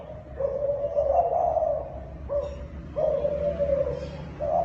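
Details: Thai dove cooing kích bổi style, a run of steady low mellow coos of about one to one and a half seconds each, broken by brief pauses, over a quiet background.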